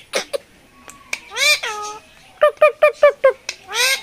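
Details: Human-mimicking parrot (tiya pakhi) recorded at the Mirpur 1 bird market, Dhaka, 13 October 2023: short clicks, two drawn nasal calls, then five rapid evenly spaced syllables and a final harsh call.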